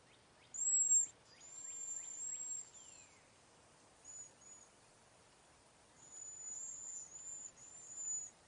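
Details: High, thin, hissing whistles from a cedar waxwing flock passing berries and insects in a backyard, several overlapping notes in two bursts, with a quick run of lower descending ticks from another sound near the start.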